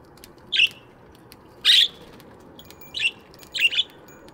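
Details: Budgies in an aviary in the morning: four short chirps, one harsher and louder, spaced by about a second of near silence.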